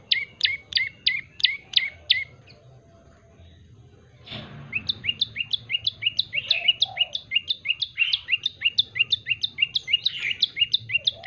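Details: Yellow-bellied prinia calling actively. Chirps open the recording, go quiet for about two seconds, and after a sharp knock return as a faster, denser series of falling notes.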